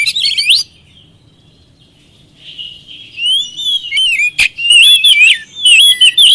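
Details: Oriental magpie-robin song used as a lure to get reluctant birds to answer and sing: a brief burst of sharp whistled notes, a quiet gap with a soft warble, then a loud run of varied rising and falling whistles and clicks.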